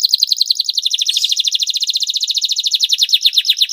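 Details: Lively canary song for drawing out canaries that will not sing: a continuous fast trill of high chirping notes, evenly pulsed and bright throughout.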